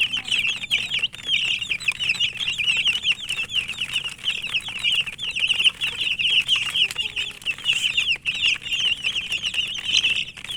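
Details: Many chicken chicks peeping together in a continuous stream of sharp, high chirps, dozens per second and overlapping throughout, with steady faint background hum.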